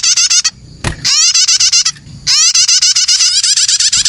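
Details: Young prinia (prenjak) lure call used to attract birds: rapid chirps at about four per second, harmonic and slightly rising. The run is interrupted by a sharp click and a short quiet gap, then resumes steadily.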